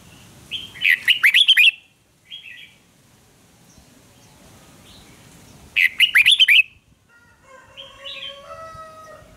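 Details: Red-whiskered bulbul duel song meant to train voices: two lively phrases of fast, warbled chirps about five seconds apart. There is a short extra note in between, and faint steady whistled tones follow at the close.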